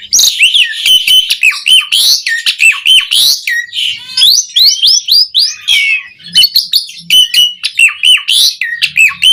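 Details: Asian pied starling singing a rich, loud medley meant to prompt caged birds to sing: rapid harsh chatters mixed with bright whistled notes and sweeping slurs, delivered almost without pause.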